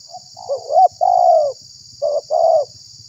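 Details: Spotted dove call used as a lure to attract wild doves and provoke rival doves: mellow, low coos in quick linked notes, a short gap, then two more rounded coos, over a steady high hiss.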